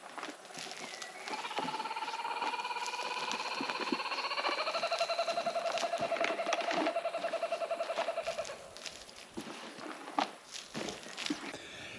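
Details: Kookaburras near a garden being worked give a long run of rapid, hooting chuckles that step down in pitch over about seven seconds, with faint clatter and rustling behind.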